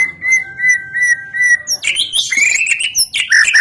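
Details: White-rumped shama song played as a lure to set other shamas, trotol and pastol singing: steady whistled notes repeated about every 0.4 seconds, then a sudden burst of loud, harsh, varied phrases.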